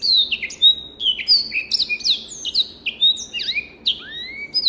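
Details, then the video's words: Black-throated canary, an African finch, delivers continuous sweet warbling, rapid descending whistles mixed with sharp clicks and a final upward-swooping note, clean with no other sounds. "SOUND of BIRD BLACKTHROAT || FINCH SINGING || MASTERAN BLACKTHROAT"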